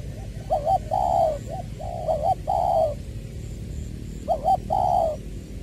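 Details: Decoy spotted dove, Tra Vinh, Long Duc, Vietnam, voice in the 'Tieu' style, 22 February 2021: three coo phrases, each a quick two-note stutter followed by a fuller falling coo, with low background noise.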